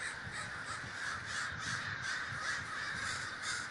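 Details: Large communal gathering of crows in Davis, California; hoarse caws pulse out in quick overlapping bursts, about three per second, over a dense background of more distant cawing.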